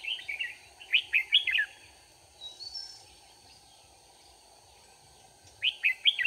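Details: Red-whiskered bulbul heard while being trapped with a decoy bird, 4 March 2019. Two bursts of rapid, bright warbling notes, the first lasting almost a second and the second returning after a long pause, over a constant high-pitched whine.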